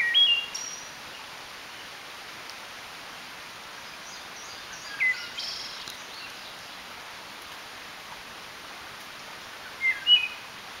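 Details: Wood thrush in spring, May 9, 2012, first of the season: brief flute-like phrases with high trilled endings arrive about every five seconds, separated by quiet stretches of steady hiss.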